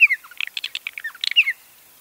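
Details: Purple martin call, the kind given at nesting colonies and in flight: a quick run of throaty chirps and gurgling notes, framed by a thin, downslurred whistle at the start and end, within about one and a half seconds.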